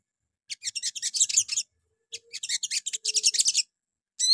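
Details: Sogon, or little spiderhunter, singing a morning lure phrase to draw replies from other birds: two runs of rapid high stuttering chips, then a sudden loud rising whistle at the end.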